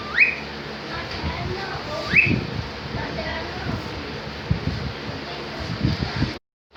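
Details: Cockatiel in a happy mood. Two rising whistled calls sound at the start, about two seconds apart. After them come low thumping and murmuring noises with no further calls.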